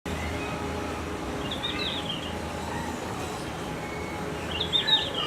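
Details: A red-flanked bluetail at Higashiyama Zoo sings two short, high warbling phrases a few seconds apart, over a steady background hum and distant noise.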